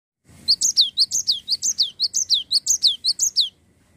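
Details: Cinereous tit singing energetically in a continuous rolling style: about a dozen rapid, high, sharp phrases, each a bright note dropping into a falling whistle, repeated evenly for three seconds against a quiet background.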